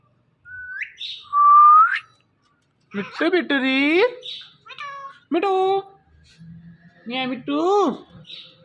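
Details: Morning calling by a male and female Indian ringneck parrot pet pair hanging on a door. Two upswept whistles, then a series of drawn-out, nasal, meow-like calls with strong overtones, some stuttered.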